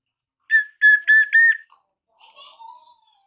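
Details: Young Javanese black-naped oriole just past its spotted juvenile stage, learning its 'ploong' song: four clear, level fluty whistles in quick succession, then soft fainter warbled notes trailing off.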